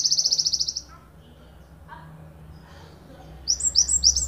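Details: Java sparrow from Ponorogo, used as a master bird for training songbirds, giving a fast, high, evenly pulsed trill that breaks off after under a second, then quiet low notes before sharp, high chipping notes resume.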